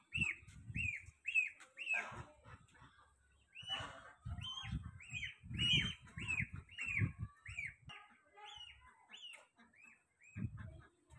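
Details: Goslings crying while looking for their mother: loud, high peeps that slide downward, repeated about twice a second in irregular runs, with low thumping and rustling noises underneath.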